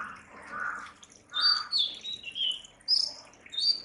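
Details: Oriental magpie-robin, national bird of Bangladesh: high sweet whistles, falling and slurred, in short phrases, with lower soft harsh notes at the start.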